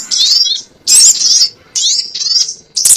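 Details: Sogon lure calls: separate bursts of bright, high chattering notes, each under half a second and followed by brief silences, with some slurred squeaks.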